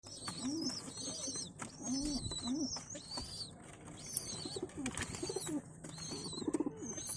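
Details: Domestic pigeon chicks being fed by adult pigeons: thin, high squeaky notes in short wavering bursts repeated about every second, over soft low cooing murmurs from the adults.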